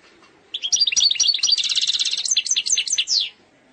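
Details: Algerian European goldfinch singing an eastern-style song described as flawless: a fast, tinkling run of high twittering notes and short buzzy trills lasting about three seconds, then silence.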